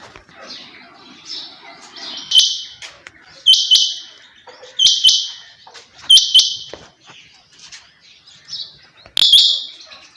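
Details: Repeated harsh double notes of a female rain quail, five or six pairs roughly every 1.3 seconds, over a low murmur and faint softer calls.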